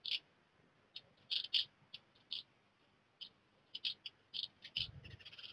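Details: Young black redstarts leaving the nest within a short time: short sharp high chirps in irregular clusters, some doubled, separated by brief silences, with a low thump near the end.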